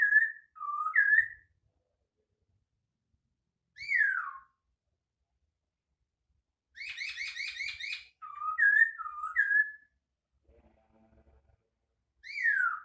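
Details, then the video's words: White-crested laughingthrush song, described as unique: clear slurred whistles, some rising and others dropping steeply, in short phrases separated by silent gaps, plus one buzzy, harmonic rattling burst near the middle. "kicauan unik Burung Poksay Hongkong"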